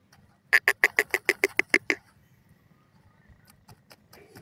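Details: Grey francolin in breeding season giving a rapid run of about nine loud, shrill, even notes over roughly a second and a half, followed by fainter scattered ticks and low background rumble.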